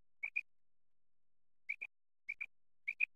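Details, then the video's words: Quail in Pakistan, linked to netting and hunting, gives four sharp two-note pairs, the first alone and the rest spaced about half a second apart, with silence between. "Batair ki awaz,,l,, Batair hunter Shikar,l, Quail singing batair"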